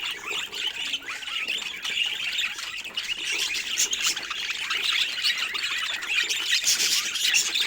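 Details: Budgerigars in a flock, a dense continuous chatter of rapid squawks and chirps overlapping with no pauses, several birds calling at once.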